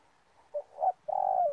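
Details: Spotted dove cooing during bird trapping in an oil palm plantation: two short soft notes followed by a long, drawn-out low coo that slides down at the end, quiet surroundings.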